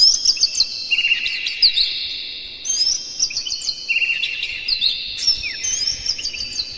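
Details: Oriental magpie-robin lure song meant to provoke other magpie-robins into singing: long sustained whistled tones layered with quick high flicked notes, two strands overlapping, with a low background hum.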